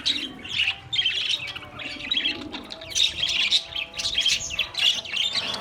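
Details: Chirping Australian parrot, giving rapid, high, scratchy chirps and squawks in steady overlapping bursts about every half second, against a soft low background hum.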